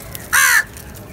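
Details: A crow among a group feeding together gives one loud, rasping caw lasting about a quarter second, with quiet background noise before and after.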